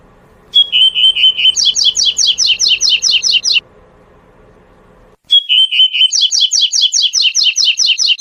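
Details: Wild double-collared seedeater singing the prized tui-tui song type: a level whistled opening note followed by a fast, regular series of bright, clear repeated phrases, given twice with a pause between, over faint low hum.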